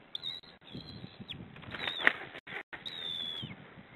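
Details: Feeding time at a white-tailed eagle nest on 2 May, with chicks given leftover fish, captured by nest camera: long, high, thin whistled notes that drop at the end, spaced about a second apart, with rustling and brief dropouts.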